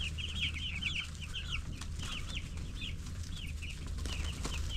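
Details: Baby broiler chickens ten days old chirping in bursts of quick high curved peeps, busier at first then more spaced, over a low rumbling background.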